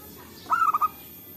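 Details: Wild local zebra dove in forest, recorded as a lure for trapping: a single brief crooning phrase, a drawn first note followed by three quick rounded notes, over a faint hiss.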